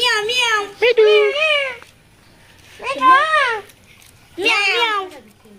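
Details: Talking parakeet at a bird market in Mirpur 1, Dhaka, Bangladesh, producing three drawn-out, harmonic-rich, wavering voice-like utterances separated by short pauses, in a quiet indoor space.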